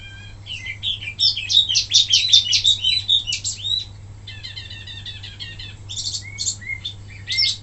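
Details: Wambi mini singing energetically as a tutor for other caged birds: long high chattering runs of rapid notes, a stretch of quieter repeated ticking notes, then scattered sharp down-slurred whistles, with a low steady hum throughout.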